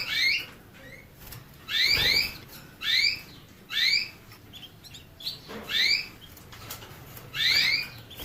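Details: Canary repeating loud upslurred chirps roughly once a second, some doubled into quick pairs, in a steady series over faint background noise.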